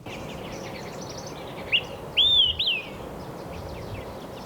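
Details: Olive-sided Flycatcher perched on a snag branch in high-elevation forest on Mount San Jacinto, Pacific Crest Trail, singing its loud whistled 'quick three beers': a short note, then two slurred whistles, the last rising then falling. Small birds chatter softly behind.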